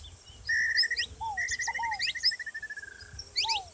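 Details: Saffron finch sounding off together with a ground dove: a long even trill of rapid repeated notes, sharp high rising chirps and a couple of lower downslurred whistles.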